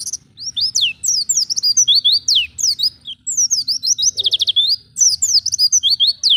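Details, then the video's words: Oriental white-eye in wild ngalas style, recorded as a stimulus for captive birds: nonstop high, bright warbling with quick slurred chirps packed closely together, and a faint low rumble underneath. "Pancingan pleci bahan agar cepat bunyi ngalas"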